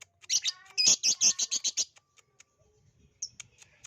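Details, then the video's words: ['Lovebird chattering song used as a lure to set other lovebirds singing: a burst of loud, rapid, shrill chirps around one second, then scattered sharp ticks and a brief squeaky note near the end.'] "pancingan ampuh love bird jadi bunyi"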